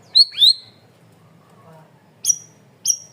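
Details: Cream-vented bulbul in full voice, recorded as a loud, clear training track for cage birds: two sharp descending chirps near the start, then a pause before two more high, clipped notes.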